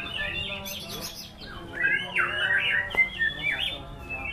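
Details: White-rumped shama singing high, sweet whistled runs followed by looping, rising and falling slurs and a sharp click, with a faint hum behind.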